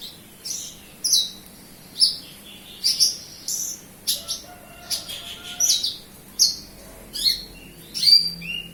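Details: Horsfield's bush lark, local Kediri stock, singing briskly: high whistled downslurs and clipped chirps repeated about once a second, with a few buzzier notes mixed in.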